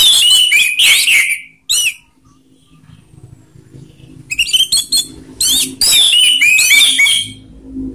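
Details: Orange-headed thrush singing ngeplong in rough and slow styles meant to set other thrushes singing: bursts of high, scratchy warbling and chirps, a two-second lull with faint background hum, then renewed jumbled phrases.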